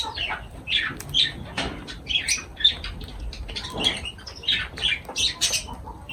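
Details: Lovebirds calling while feeding, a series of sharp piercing chirps and squawks roughly every half second, with light rustling between.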